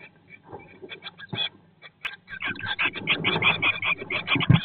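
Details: Eurasian blue tit in a nest box in 2022, 19 days after the first egg hatched: busy, irregular bursts of short chirps at about one per second, building louder toward the end, with scratching and rustling beneath.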